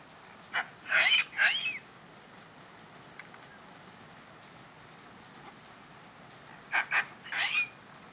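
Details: A pet female medium sulphur-crested cockatoo, happy after seeing rain, gives two bursts of harsh, raspy screeches of a few quick loud squawks each, separated by about five seconds of steady hiss, likely rain.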